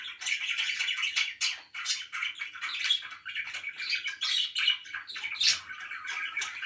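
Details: Pet budgerigars chattering indoors: a lively run of scratchy chirps and squawky notes in quick clusters, with brief gaps between the busier bursts.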